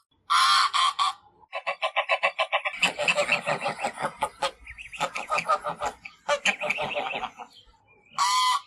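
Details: Goose honking, recorded with 8D audio technology: harsh nasal honks open and close the sequence, with rapid runs of shorter, repeated cackling calls in between, some overlapping into a noisy, gabbling chorus.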